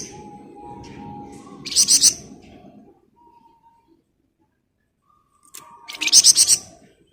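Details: Flamboyan bird in rapid, busy song: two short bursts of very high, tightly repeated chirps, the second after a near-silent pause, with faint whistled notes and low background rumble.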